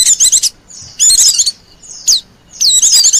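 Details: Oriental white-eye lure sound for wild birds: brief, high twittering bursts alternating with single sharp downslurred whistles and faint thin notes in the gaps.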